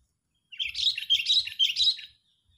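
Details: Sooty-headed bulbul calling angrily as a lure for trapping birds; one continuous rolling phrase of rich, bubbly whistles in three loud pulses lasting about one and a half seconds.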